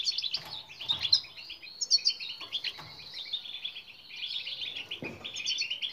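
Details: Goldfinch song aimed at getting quiet caged birds singing: busy, tinkling twitters and rattling buzzes in overlapping phrases, with a few faint knocks.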